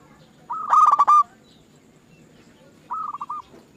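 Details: Zebra dove singing as a lure recording meant to start other doves singing: one loud, harmonic-rich burst of rapid hooked coos, then a softer phrase of four short notes after a pause.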